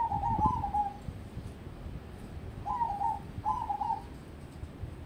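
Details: Zebra dove (perkutut crossing) bred as a contest prospect utters three bubbling, trilled coo bursts, the last two close together, over a low rumbling background.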